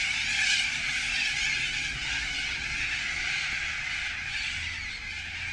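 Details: Sulphur-crested cockatoos in a large flock, nibbling gum blooms in the afternoon; a continuous wash of overlapping harsh, grating screeches with no clear gaps, steady in loudness throughout.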